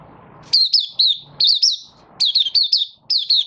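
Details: Malaysian Oriental white-eye in minor moult, caged and building form, singing Buka Sing: loud, clear bursts of high, bouncing, downward-sweeping chirps in four quick groups, little background noise.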